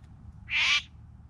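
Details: One of three bowerbirds gives a single harsh, rasping note lasting about a third of a second, over a low background rumble.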